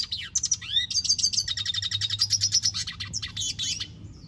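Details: Red siskin in full song: a few upslurred whistles, then a fast run of chattering, buzzy trilled notes with sweet whistles mixed in, fading after about four seconds; faint low background hum.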